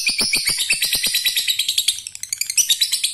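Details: Male lovebird calling the female, prompting other lovebirds to join in 'ngekek'; fast, shrill, rattling chatter of evenly spaced pulses, continuous for the whole stretch, with faint clicks underneath.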